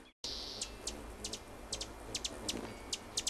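A hummingbird gives sharp, very high chips, singly and in quick pairs, about three per second, over a faint thin whine and low background rumble.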